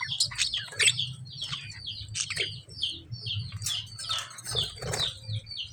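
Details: Lovebird chirping with clustered high chirps and harsh, screechy bursts in irregular bouts, over a steady low hum.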